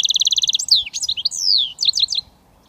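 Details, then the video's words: A goldfinch mule hybrid opens with a rapid even trill of repeated notes, followed by sweeping descending whistles and a cluster of sharp twittering notes. "Goldfinch mule switty 100% British finch"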